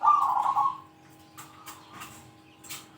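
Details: Zebra dove's big 'kung' rival-calling coo. A single short, throaty, trilled burst opens the clip, followed by quiet faint knocks.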